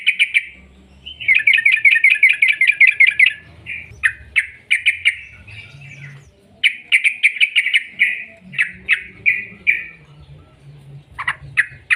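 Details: Sooty-headed bulbul giving a long rolling song, used as a lure to make other bulbuls sing: a rapid run of repeated sharp chirps, then separate bright phrases and short trills, with faint low rumble beneath.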